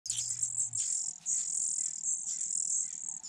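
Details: Four Fujian niltava nestlings in a nest hidden in grass beg insistently while being fed, a continuous shrill, high-pitched chorus of overlapping squeaks with brief dips.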